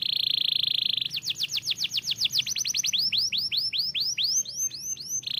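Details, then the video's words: Canary beginning with a one-second buzzy rattle, then running into quick down-slurred whistles and wider arched notes, ending on another buzz. "Other canaries immediately heard the sound of this canary"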